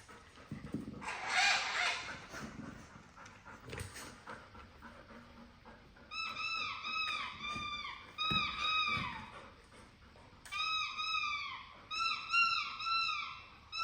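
A parrot gives a harsh rasp, then runs of clear, whining, dog-like notes that rise and fall.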